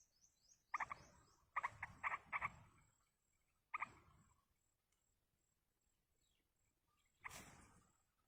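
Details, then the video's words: In the wild, young yellow-vented bulbuls being fed by a parent give clustered bursts of quick, rattling harmonic notes, several in a row, a lone burst after a pause, then a final noisy sweep. "indukan burung trucuk meloloh anakan di alam"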